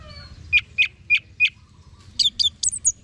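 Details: Orange-headed thrush singing: four sharp, evenly spaced chip notes, a pause, then a quick run of higher slurred whistles.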